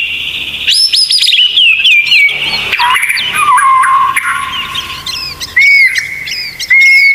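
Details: White-rumped shama masteran song with 'tembakan' phrases: falling whistled notes, a low warbled passage, then short upswept whistles and clipped high notes repeated near the end.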